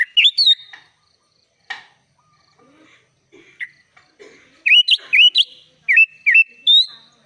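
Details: Kutilang, or sooty-headed bulbul, singing gacor full isian, its song filled with other birds' phrases. Short rising whistles open, then quiet soft chirps, then a run of loud, looping, dipping whistled notes and a long level whistle.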